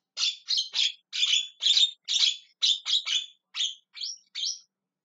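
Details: A Javan myna calling insistently: a rapid run of about a dozen harsh, scratchy chatter notes, several doubled, ending with thinner squeaky notes, at a fairly quick, irregular pace.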